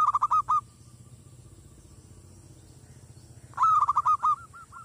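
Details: Village zebra dove calling to lure wild doves and make them aggressive: loud bursts of clipped, rolling mid-pitched coos, one at the start and another near the end, with a steady background hum between.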